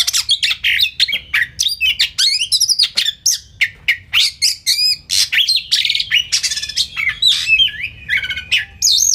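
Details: White-rumped shama (kacer) training song with fast, rich phrases: dense strings of sharp chips, whistled slurs and rattling trills tumbling one after another with scarcely a pause, steady low hum in the background.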